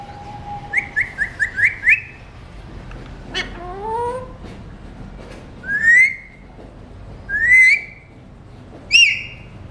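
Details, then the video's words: A talking Alexandrine parakeet gives a fast run of five short whistled chirps, a long falling swoop, then three separate rising whistles a second or two apart. "Alexandrine Talking Mutation | non stop talking parrot"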